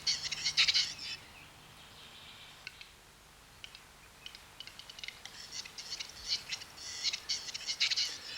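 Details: Male Western capercaillie (Tetrao urogallus) courtship display at song places in a mountain conifer forest: dry, metallic clicks and scraping, high-pitched phrases in uneven bursts, with three or four males answering one another faster and faster as excitement grows.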